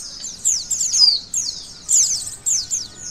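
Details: Oriental white-eye chatter for provoking emotion and arousal in other white-eyes: short clusters of shrill, sweeping, downslurred notes, about three bursts over a few seconds.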